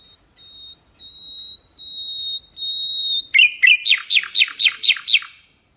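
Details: Common nightingale, Hasaniya style, sung as a model for goldfinches and canaries: four long pure piping notes, each louder than the last, then a sudden fast rattling trill of about ten sharp descending strokes.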